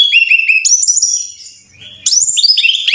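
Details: Rapid ringing whistles of a brown-chested jungle flycatcher, played to train caged birds to sing, delivered in quick runs of short upslurred notes, with a short quiet gap before another bright burst.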